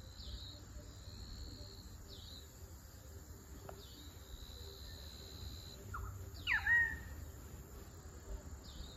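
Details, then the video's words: Pied currawong (Strepera graculina) calling at 6:30 pm on 4/03/2023 in Ipswich, Queensland: one brief ringing whistle sliding down then levelling off, over steady high-pitched insect trills. "Pied Currawong: Strepera graculina call"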